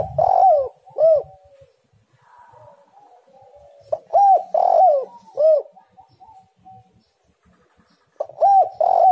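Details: Spotted dove (tekukur) lure recording meant to make doves call: three phrases of loud arched coos roughly four seconds apart, with softer trailing coos between them in a quiet background.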